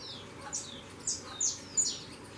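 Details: Saffron finch fledglings flying from the nest: three or four quick, high, downward-slurred chirps, each briefly louder and spaced about a third of a second apart, over a steady low hum.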